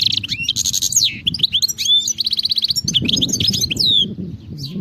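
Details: European goldfinch in the wild: continuous tinkling twitters, slurred whistles and a rapid trill, with low rumbling background noise beneath the song.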